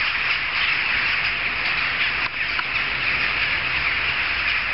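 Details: Jackdaws gathered in large numbers, heard from several streets off; dense overlapping chattering calls continue nonstop, with one brief dip in loudness just past two seconds.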